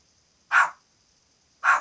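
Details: A parrot kept as a pet gives two loud, gruff dog-like barks roughly a second apart, with a faint steady high hiss in the room.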